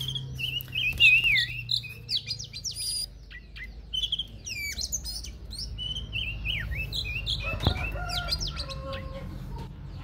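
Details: An Oriental magpie-robin sings a wild-type 'forest voice' song, recorded 2023: a rich, varied run of clear whistles, quick trills and sharp chirps at a fast, uneven pace, over a low steady hum.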